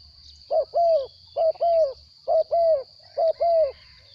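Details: Four paired coos from a caged spotted dove, a wild bird kept captive, each a short note then a longer arching one, evenly repeated nearly once a second, steady high-pitched tone in the background.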